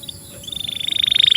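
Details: Canary song used to tutor young canaries and prompt silent ones: a rapid buzzy trill rising in loudness, pulses accelerating over a second.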